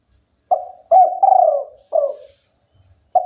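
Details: Singing local spotted dove giving one full phrase of short coo, long slurred falling coo and short end coo, the next phrase beginning as it ends; quiet background.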